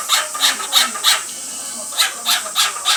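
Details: Male pet cockatiel vocalising as the female bathes; short, breathy, rasping pulses repeat steadily about three per second, with a brief pause in the middle.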